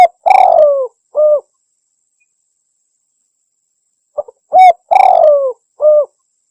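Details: A spotted dove gives two soft cooing phrases about four seconds apart, each a long falling coo framed by short hollow notes, in quiet surroundings. The recording is presented as a lure call for hunting doves.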